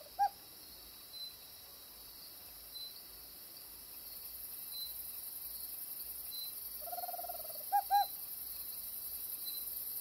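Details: Tropical screech owl in Costa Rica, where it is resident: faint, scattered soft notes, then a short purring trill ending in two clipped hoots, amid a constant shrill insect drone.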